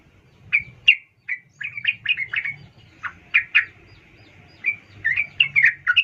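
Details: Female sooty-headed bulbul calling to a male: sharp, clear chirps come singly and in quick clusters, separated by short pauses over about six seconds.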